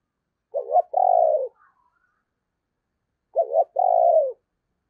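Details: Decoy spotted dove with a 'giọng thổ' voice repeats a two-part phrase about three seconds apart: a quick doubled note, then a long, throbbing, slightly falling coo.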